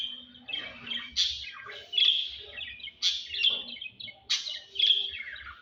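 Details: Lovebirds during mating give a busy stream of high, harsh chirps and squeaky twitters, with louder shrill bursts roughly every second, overlapping and irregular.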